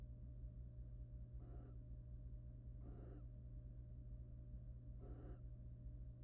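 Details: Courting wild barn owls at a monitored nest box as the male preens and mates with the female. Three brief, hoarse, broadband screechy bursts are spaced about one and a half to two seconds apart, with a constant low hum beneath.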